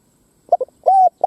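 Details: Decoy spotted dove coo meant to draw wild doves into fighting: a pair of brief muffled notes, then a drawn-out level coo, and the start of another note at the end.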